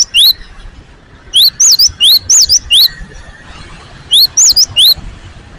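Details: Recently caged great tit (gelatik batu) delivering clear, high, rising whistles in paired notes: a single phrase, then a bout of five, a pause, and a final bout of four.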